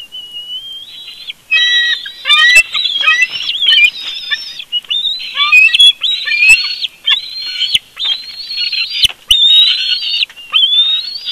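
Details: Bald eagles in a family conflict at their nest at Big Bear, filmed on a live nest cam: loud, shrill, squealing whistles repeated almost continuously, each rising or wavering, with brief rustling clicks between them.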